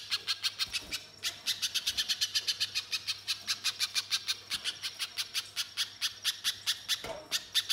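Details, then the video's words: Spiderhunter in full voice, used to prompt other birds to sing: an almost continuous chain of rapid, sharp, high chips across eight seconds, with a short break near the start and a low hum behind. "Pijantung Pisang Gacor‼️Pancingan Pijantung Bahan Agar Langsung Bunyi Mbeset Nembak"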